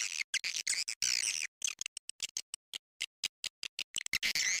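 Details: Swiftlet attraction call for edible-nest swiftlets, a shrill, buzzy twittering chopped into many short bursts separated by abrupt silences.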